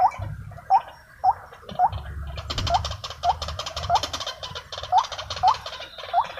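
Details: Agitated wild white-breasted waterhens calling during decoy trapping: a series of short, hoarse notes repeated roughly twice a second, joined midway by a dense, loud chattering chorus.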